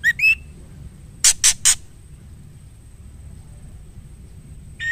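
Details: Female white-rumped shama calling the male: two short whistles, the second rising, then three harsh rasping chacks in a row. After a quiet stretch, another whistle begins at the very end.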